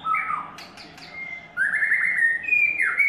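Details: White-rumped shama in its third molt, singing long drawn-out whistled notes that slide and waver, with a few faint short chirps between them, over a low steady background hum.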